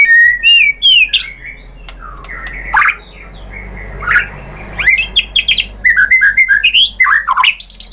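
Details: White-rumped shama with varied chirps and whistled notes, sparse at first, then building into a denser string of quick rising and falling phrases.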